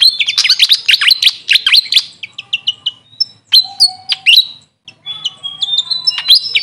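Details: Grey fantail, known locally as Maria Capra: a busy burst of high squeaky chirps that thins into spaced single chips, with pauses and then renewed twittering toward the end.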